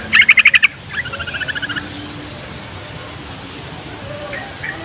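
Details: Yellow-vented bulbul singing to draw replies from other bulbuls: a loud rapid burst of about six bright notes, then a softer run of quick bubbling notes, with a steady background hum.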